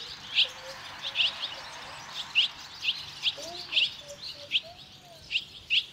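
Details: Barn swallow chicks fledging, five leaving the nest within two and a half minutes, encouraged by earlier fledglings from other nests: sharp high chirps repeated about every half to one second, with faint low tonal sounds beneath.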